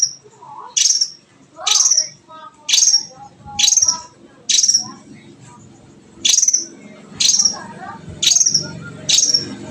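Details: Long-tailed shrike: a bright, high, downward chirp repeated about once a second, with quiet low chatter and background noise between the notes.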